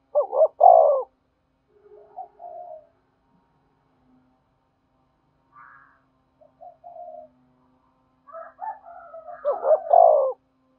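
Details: Spotted dove calling to entice wild doves to coo back and come in: a loud, husky rolling coo opens and closes the stretch, with scattered quieter coos and a long pause between.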